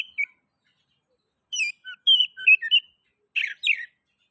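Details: Oriental magpie-robin, song to get other magpie-robins singing: a short note, a pause, then a varied run of whistled and slurred notes ending in two harsh rasps.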